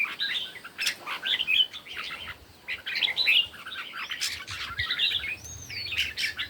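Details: Red-whiskered bulbul competition singing in the morning: short, bright warbled phrases in two bursts, chirpy and quick, with a few thin high whistles between them.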